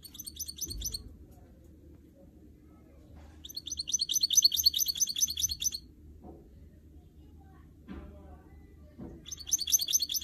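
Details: Goldfinch mule, a canary and goldfinch cross kept in a cage indoors, sings three bursts of rapid, high, jingling twitters, each a second or two long, separated by pauses with soft thumps and knocks.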